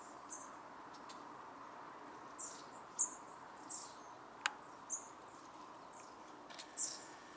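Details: Long-tailed tit (Aegithalos caudatus) at home in Ljubljana, 14 January 2024, giving thin, very high, short calls scattered irregularly over several seconds, over a steady low hum and one sharp click.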